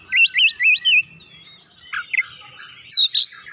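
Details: Oriental magpie-robin encouraged to sing: four quick rising whistled notes in a row, a quiet gap, then a few sharp chips and a final loud sweeping whistle.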